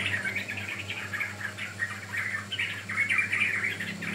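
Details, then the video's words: Sooty-headed bulbul song used as a lure and for training birds: bubbly, chirping phrases around the upper-middle range, run together with little pause, over a steady low background hum. "Pancingan Ampuh Burung Trucukan Paud"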